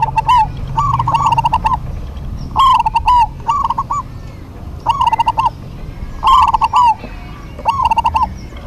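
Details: Local zebra doves singing in duet, lively and answering each other: rolling, bubbly coo phrases with a fast quavering trill, about eight phrases in bursts with short pauses between, little else heard.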